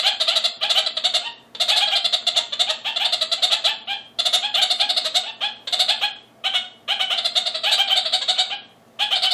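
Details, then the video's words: Aviary-kept male red-crowned parakeet directing harsh chatter at a neighbouring male; choppy bursts of rapid, raspy, bleating notes, some long and some brief, broken by frequent short gaps. "Ziegensittiche meckern"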